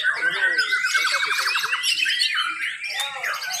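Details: Competing white-rumped shamas at a Papua contest event in Mimika, class B, deliver a quick ladder-like rattling trill among high whistled notes and chatter, with many birds sounding at once.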